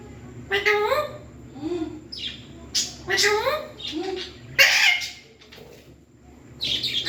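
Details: Pet parrot talking: a run of short, word-like phrases with rising and falling harmonic tones, delivered in bursts over several seconds, ending with a harsh, hissy burst and a brief high chatter.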